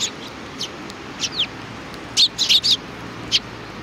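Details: Sparrows recorded at a Tenmangu shrine, 4 July 2019: a few soft high chirps early on, then a tight cluster of louder, slightly downslurred tweets, with one more at the end.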